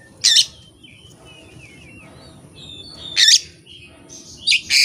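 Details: Oriental magpie-robin, a hobbyist's bird singing its isian without tutor or rival: loud harsh rasps at start and mid-phrase, linked by soft warbled whistles, ending in more rasping bursts.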